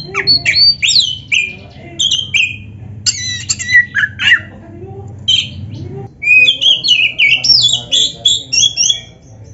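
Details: Lively Oriental magpie-robin song meant to fire up other magpie-robins. Fast sequences of sweet whistles and scratchy chirps repeat in dense phrases, with a brief pause midway and a low hum underneath.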